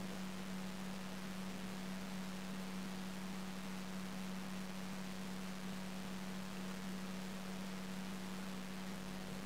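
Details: Continuous broadband hiss over a steady low electrical hum, unchanging throughout, with no animal sound.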